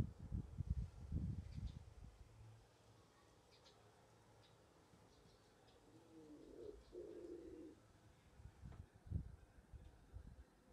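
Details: Common wood pigeons nesting in a balcony box give one short, low, husky coo midway, framed by dull thumps and rustling at start and end; owner unsure whether wood or turtle doves.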